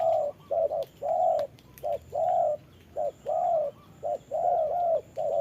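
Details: Decoy spotted dove fighting a wild bird during rainy trapping: mellow coos in short-long pairs, some notes doubled, spaced about a second apart, with scattered clicks and a faint high tone.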